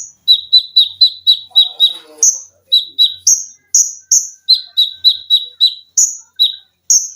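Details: Caged olive-backed sunbird giving dense 'tembakan rapat' song with sewing-machine-like runs, 'lengkingan' and 'besetan', recorded for training cage birds: long rapid series of sharp chips broken by very high drawn whistles, about four notes per second.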